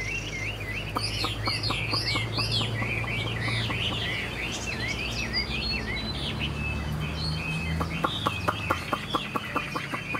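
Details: Singing caged Chinese hwamei, a first-year bird with tail-flicking habit, delivers looping, warbled whistles in quick succession, accompanied by sharp clicking taps and a low background hum.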